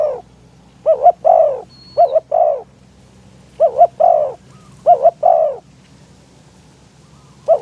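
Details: Caged decoy spotted dove calling to draw in wild doves, strong wind: rhythmic coo phrases, each a clipped doubled note then a sustained downward croo, roughly every one to two seconds.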